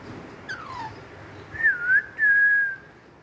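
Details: A pet talking rose-ringed (green ringneck) parakeet, playing with toys, gives clear whistles: a short falling slide, then a wavering whistle and a long, steady one, with faint room noise behind.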